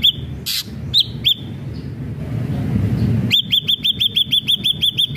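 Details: Ashy drongo in lively song: a few hooked, upswept whistled notes, then a fast run of identical rising notes about three per second, with sharp broadband crackles and a low rumbling hum beneath.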